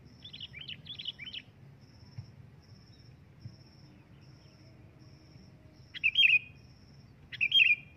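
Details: Sooty-headed bulbul calling loudly to draw a reply: soft chatter at first, then, after a quiet stretch, two bright bubbling whistled phrases about a second and a half apart. Insect ticking repeats steadily throughout.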